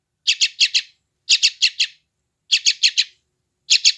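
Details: Young yellow-vented bulbul in West Java, recorded on an Android phone to calm and tame newly trapped wild birds, uttering regular clusters of four short, high chirps roughly every 1.2 seconds; otherwise quiet.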